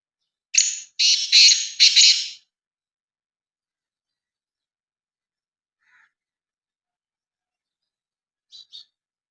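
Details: Owned black francolin, a Sindhi kala teetar, calling in 2023: a loud, harsh, grating phrase of four rasping bursts close together, then silence with a brief faint note and a short double chirp near the end.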